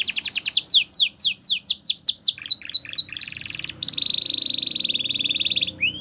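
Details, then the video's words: Tutor song of a Belgian canary for young birds, opening with quick downward-sweeping whistled notes, then a short stuttering passage and a long even high rattle-trill with a rising note at the end. "Canary Teacher For Your Preschool Canary!! Belgian Canary Singing"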